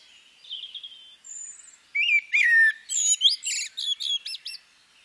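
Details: Female common blackbird. Faint high notes are followed by a mellow, falling fluted whistle and then a run of rapid, high, chattering squeaks.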